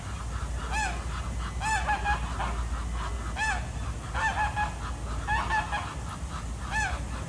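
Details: Morning at Jardin aux Canards, Monaco: swimming ducks call repeatedly, loud bent honks in clusters of two or three, spaced about a second apart, against a constant low water and background hum.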